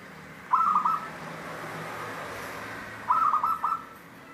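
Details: Zebra dove of local wild stock with a 'Cristal tembus' voice gives two clear, rapid, beaded coo phrases about two and a half seconds apart against steady low hiss.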